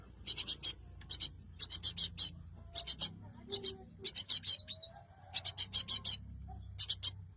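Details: Repeated grating buzzy bursts of a cinereous tit, meant to attract birds for trapping, with a brief burst of twittered whistles midway and a low hum underneath.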